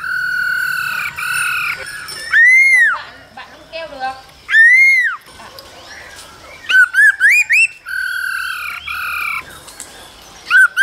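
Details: Female calls accompany a dancing male laughingthrush's song in the cold season, played to stimulate young birds; long arched whistles and lower warbles give way to a rapid string of rising whistled notes.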